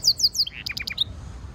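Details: European goldfinch mule (hybrid) singing as training/stimulation song: three thin, falling high whistles, then a quick burst of buzzy, twittering notes, all within about a second.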